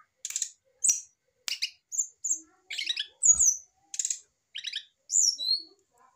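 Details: Mature male brown-chested jungle flycatcher in a cage, stirred by a female placed against it: rapid string of short sharp chirps and rattling buzzy bursts, evenly spaced, with a few high whistled slurs.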